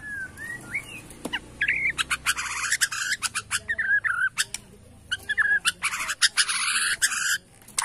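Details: White-rumped shama of Borneo, bowing 'sujud' style, singing to rile rivals: slurred whistles lead into dense, loud, rasping bursts and rapid clicking phrases, one after another.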